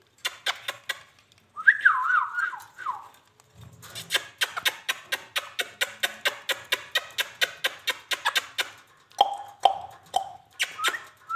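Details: Indian ringneck parakeet, described as talking, indoors: a wavering, warbled run of mid-pitched notes, then a long series of sharp, evenly repeated clicks and a few short clipped notes near the end.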